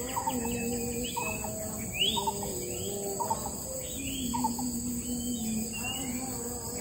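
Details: Parent Long-tailed Shrike near its nest, wary of approaching predators: short arched notes and small chirps in scattered clusters, over a constant high insect drone and low rumbling background.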